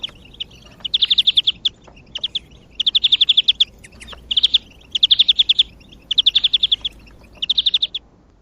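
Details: European greenfinch song, loud and close, used to motivate other birds: six or seven dense twittering trills of rapidly repeated bright notes, each about half a second long, delivered almost back to back.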